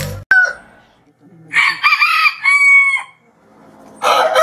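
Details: Rooster crowing as a morning wake-up call: after a sharp click, a loud broken crow of buzzy harmonic syllables, then a second crow starts near the end.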